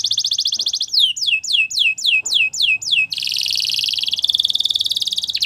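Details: Caged Belgian canary singing: a steady trilled buzz, then a series of about six descending swooping whistles, followed by a fast, dense high trill rolling on to the end.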